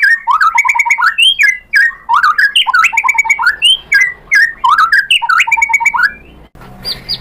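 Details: White-rumped shama song for luring birds into singing: a rich whistled phrase of rising and falling notes repeated about every second and a half, with a short, harsher note at the end.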